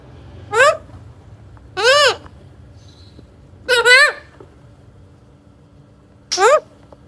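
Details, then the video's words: A young pet Alexandrine parakeet makes four short, rich, speech-like utterances, each swooping up and down, spaced one to two seconds apart over a low background hum. "Alexander Parrot Baby Golu Talking"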